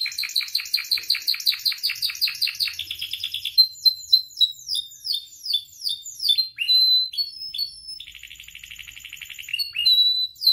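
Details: Canary song used to train and provoke canaries to sing, opening with fast repeated chirps, then sweeping downslurred notes, a soft buzzy trill and a final whistle.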